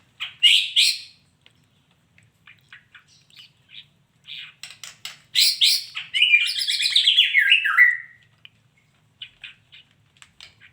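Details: Female white-rumped shama: scattered sharp clicks and short chips, then a rich, quickly descending whistled phrase lasting about two seconds, followed by more soft ticking notes.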